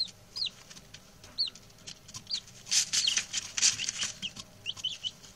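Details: Newly arrived male chicks, six in all, peeping among shuffling noise: a few high falling cheeps, then a burst of loud scratchy rustling before more peeps.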